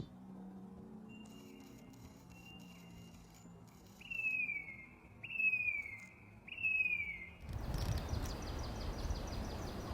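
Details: A wild black-capped chickadee calling gives clear, high whistled notes that slur downward, three about a second apart after softer ones, before a burst of rushing wind-like noise.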